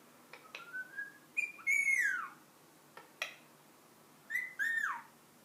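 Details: Ten-month-old pet ring-necked parakeet indoors whistling the Addams Family tune: two sharp clicks, a rising thin whistle, then loud arched falling whistled phrases, another pair of clicks, and a final swooping phrase.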